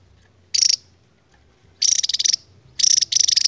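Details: Endemic Javan tesia giving its long ngebren song: three bursts of high, sharp, rapidly pulsed trilling, separated by brief pauses, with a faint low hum underneath.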